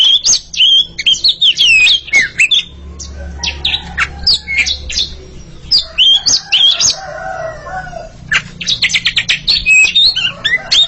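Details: Two Oriental magpie-robins, a pair called kacer, dueling in song: rapid bursts of sharp chips, harsh notes and clear whistles, with a quieter stretch midway before the fast phrases resume.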